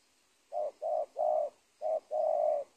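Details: Spotted dove in Indonesia, at the edge of a teak plantation by a former corn field: five low, husky cooing notes, two short, then one longer, a pause, a short note and a drawn-out final coo.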